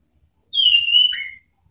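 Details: Single clear whistled phrase from an orange-headed thrush, a provoking ngeplong song meant to draw rivals: a long steady note that breaks into a lower, falling slur, under a second in all, with no other sounds.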